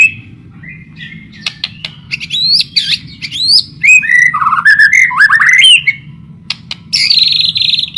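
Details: White-rumped shama singing vigorously on a lure recording meant to set other shamas singing: rapid jumbled chips, then rich swooping whistled notes and a long buzzy high phrase near the end, with a low background hum throughout.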